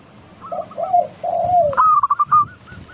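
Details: Singing local zebra dove used as a lure for other doves: three low, mellow coos, the last longer and gently falling, then an abrupt loud run of sharp staccato notes.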